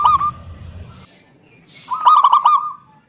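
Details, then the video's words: Local zebra dove song played as a lure to prompt lazy doves to sing: two bursts of soft, hollow notes near one pitch, the second a longer rolling phrase, with low rumbling noise early on. "Terapi Perkutut MaLas Bunyi_Rutinkan Pancingan Ini Pagi Siang Sore"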